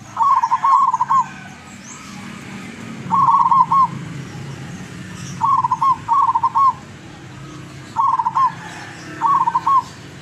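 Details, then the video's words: Locally caught zebra dove from Tuban, East Java, singing frequently with long melodious song; paired phrases of fast chattering coos with a rolled finish, roughly every three seconds, against low-pitched background rumble. "Perkutut Lurah gacor doorrrr"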